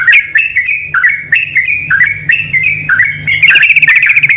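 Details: Yellow-vented bulbul male and female exchanging calls: clipped, bright chirps repeated in short groups, each pair of notes stepping up, ending in a dense rapid flurry of tiny high notes; a low hum runs throughout.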